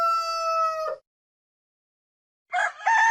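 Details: Rooster crowing: a steady, strongly harmonic held note that cuts off just before the first second, then a pause, then the start of a new rough, broken crow near the end.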